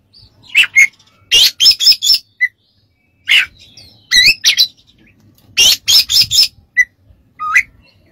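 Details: Oriental magpie-robin song used as training material for other songbirds: clusters of buzzy, harsh high notes alternating with short clear whistles, phrases separated by brief silences.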